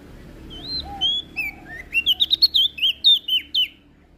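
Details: Prinia from Lombok singing: a few spaced, wavering whistles open the phrase, then it speeds into a rapid run of sharp, downward-sliding chirps lasting about two seconds before fading.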